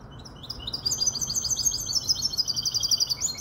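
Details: Goldfinch hybrid, five months old, recorded in Casablanca. It sings a steady, rapid stream of high, sweet chirps and trills, several notes each second, over a faint low background hum.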